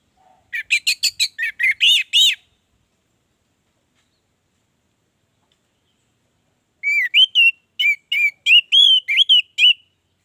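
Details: An orange-headed thrush in full song gives two bursts of quick, varied whistled notes, several per second, high and bright, separated by a long quiet pause; used as a lure to prompt other orange-headed thrushes to sing.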